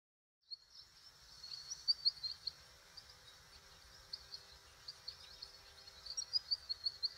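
American goldfinch giving high, thin twittering notes in short bursts over a steady high hiss of background noise.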